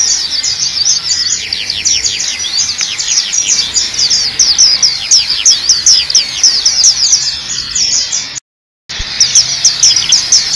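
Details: Continuous high, thin twittering of a black-capped white-eye in a tutor recording for training birds: rapid descending chirps in a dense stream, cut by a brief silent gap before resuming.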